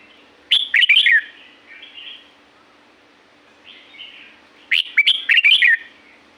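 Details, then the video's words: Wild Red-whiskered bulbul from La-u forest in Thailand gives two lively warbled phrases about four seconds apart, each a rapid string of sharp, slurred whistles, with soft mellow notes in between and a faint constant background hum. "เสียงนกกรงหัวจุก จากป่าละอูแท้ๆ เสียงดี เสียงเพราะ จากธรรมชาติ"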